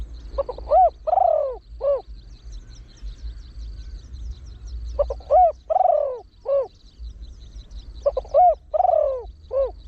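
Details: Deep-voiced trained Spotted Dove used as a lure for wild birds, repeating 'khan yon 1 kuk' phrases quickly. Three phrases, roughly four seconds apart, each with stuttered short notes, a rising-falling coo, a long downslurred coo and a short ending coo.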